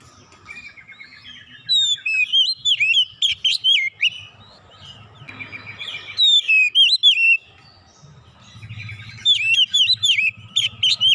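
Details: Kacer, the oriental magpie-robin, bursting into song full of isian, its stored imitated phrases; loud rapid runs of twisting, rising and falling whistles and sharp chips, in several spurts of a few seconds each, with a low background hum between.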